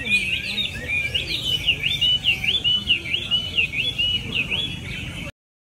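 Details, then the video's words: Chinese hwamei singing at a hwamei song contest in Mỹ Đình, 19 July 2020, where a first prize was awarded: a fast, loud run of looping, slurred whistled phrases, each note swooping up and down, repeated more than twice a second, with faint background chatter. "HỘI HỌA MI HÓT MỸ ĐÌNH"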